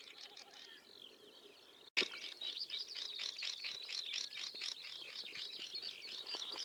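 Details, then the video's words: Swinhoe's snipe gives a dense run of harsh, raspy, high chattering notes, about two per second, after a sharp click and over faint background hiss. "Swinhoe’s Snipe"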